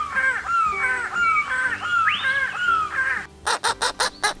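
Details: Grey-crowned Babblers in an Australian group of about eight give clear, nasal, down-slurred whistles about twice a second, then five harsh, rasping yah notes that the others copy, possibly from a dominant bird; sex unknown, as female reportedly gives yah.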